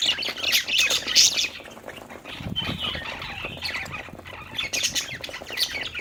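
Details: Happy budgerigars playing, giving a busy stream of high, scratchy chirps and short squawks in irregular bursts, mixed with fluttering wing sounds and some low background rumble.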